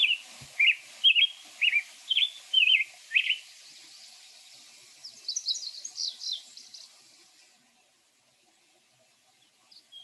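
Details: A Black-headed Grosbeak, a bird that loves to sing, gives a random run of rich, slurred, warbled phrases about twice a second; a thinner, higher jumble follows, likely a Ruby-crowned Kinglet in the background.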